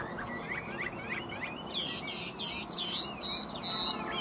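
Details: Whistled song of a Chinese hwamei kept by a bird trader in Vietnam: soft rising notes at first, then a burst of loud, rich strokes repeated about twice a second.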